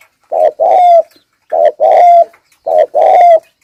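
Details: Lure spotted dove giving three paired coos, each a short low hoot followed by a longer mellow note with a thin whistled ending, spaced roughly a second and a half apart, close and clear in a quiet setting.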